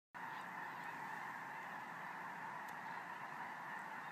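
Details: Thousands of geese flying overhead at night: a dense, unbroken chorus of overlapping honks forming a steady wash of sound, with no single call standing out, after a brief silent moment at the start.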